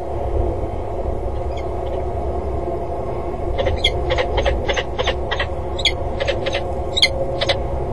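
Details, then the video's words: {'caption': 'Peregrine falcon calling during an early-afternoon flight display around a water tower on 5 February 2013, with circling and diving: a fast series of a dozen sharp, harsh notes after two faint ones, over low rumbling wind.'} "vliegshow met veel geroep"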